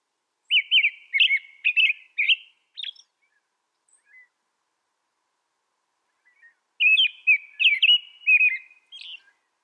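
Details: American robin caroling in two bursts of several whistled, slurred phrases separated by a long quiet gap with a few faint notes; no other sounds.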